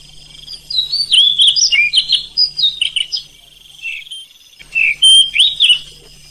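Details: An Oriental magpie-robin sings a rich, varied run of sweet whistles and rapid chirping phrases, pausing briefly mid-clip, over a faint electrical hum; a night-time recording used to provoke sluggish magpie-robins into singing.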